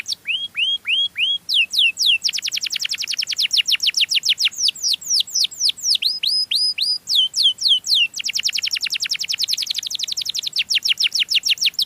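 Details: Melodious canary song played to lure other canaries. Opens with a few rising-then-falling whistled sweeps, then long runs of rapid, evenly repeated downward-sweeping notes, with brief changes of tempo and syllable between the runs.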